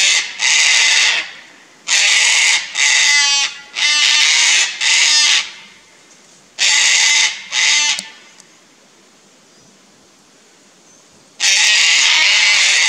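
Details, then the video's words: Pair of Sulphur-crested Cockatoos on Queensland's Fraser Coast, Australia, protesting a Lace Monitor near their nesting tree: repeated raucous, grating screeches about a second long in bursts, then a pause before another screech. "Cockatoos vs Monitor Lizard"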